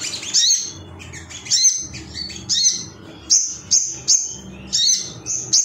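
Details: Ruby-cheeked sunbird male, worked up and seeking a rival, gives high thin phrases. Squeaky twitters open the clip, then separate bright chirps follow about every half second to second.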